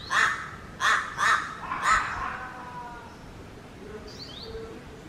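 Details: Crows in Raja Ampat, Papua, giving four loud, hoarse caws in about two seconds, then fading, with faint higher bird whistles near the end.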